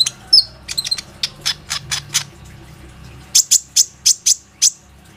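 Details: Plain-throated sunbird, a bird singing to lure other sunbirds, phone recording: a steady series of evenly spaced sharp high ticks, then a brighter run of loud chips near the end.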